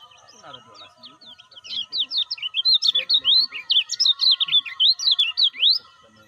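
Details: Caged lemon-bellied white-eye giving its lively lure song, played to get non-singing and new birds going: a brisk, dense stream of high, sharply rising and falling chirps over four seconds, with a faint steady hum underneath.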